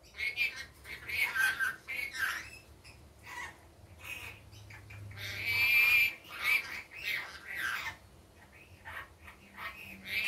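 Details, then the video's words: Pet rainbow lorikeet during the day giving a run of grating, screechy squawks, some with thin whistled edges, loudest in a long rasping burst near six seconds; low background hum throughout. "Rainbow Lorikeet daytime 10 min"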